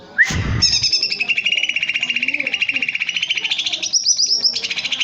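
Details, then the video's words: Greater green leafbird (cucak ijo) singing loudly in a cage: a rapid, steady trill of clear whistled notes held around one pitch for several seconds, opening with a sharp bang or rattle. "Burung cucak ijo gebrak kandang gacor"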